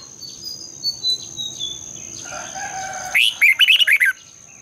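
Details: Red-whiskered bulbul as a lure singer in the morning, a long twisted double voice. Soft scattered chirps lead to one loud rapid phrase of about seven bubbling, rising-and-falling notes. A faint steady high tone runs under it.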